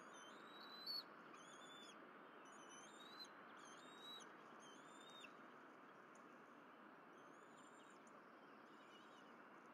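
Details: Nest-camera recording of bald eagles, 12 April 2023, Berry College nest, with fish brought in and the family eating: a run of thin piping notes in the first half, fading later, against constant wind-like hiss.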